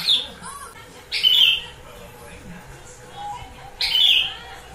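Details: Gentilang song filled with starling-style phrases, played as a lure to prompt birds at home to answer: three loud, bright whistled notes with a buzzy edge, spaced over about four seconds, with fainter chirps between.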